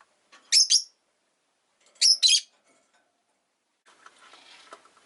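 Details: Pet rosy-faced lovebird calling with two sharp doubled chirps about one and a half seconds apart, shrill and high, followed by a low patch of faint scratchy background noise.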